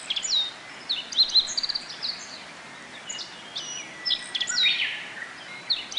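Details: Nectar-feeding Japanese white-eyes gather at blooming bottlebrush in a Kobe botanical garden, Japan, 14 June 2018, during the rainy season. High, thin chirps and short flat whistles come in loose clusters, with a faint, steady outdoor hiss beneath.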